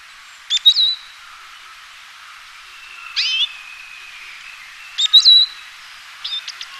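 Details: Eurasian siskin singing in spaced bursts: sharp high notes running into thin drawn-out whistles, one long flat tone, and a few quick ticks at the end.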